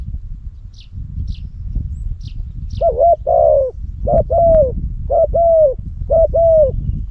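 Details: Loud-voiced decoy spotted dove, kept in Cambodia to lure wild doves, calling in hot weather. Four mellow two-part coo phrases follow each other about once a second, preceded by thin high chirps and low background rumble.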